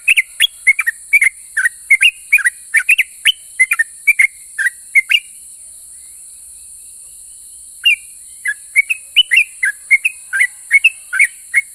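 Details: Sooty-headed bulbul singing vigorously in the 'ropel' style, said to provoke other bulbuls to answer. Rapid, chopped whistled notes, some rising and some falling, come in bursts. There is a pause near the middle, then the song resumes, over a steady high hiss.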